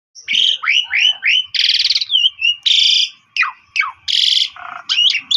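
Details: Pied myna, a loud singing bird used as a lure to make other birds sing, giving a varied song of downslurred whistles, harsh buzzy bursts and low nasal notes, with short pauses between phrases.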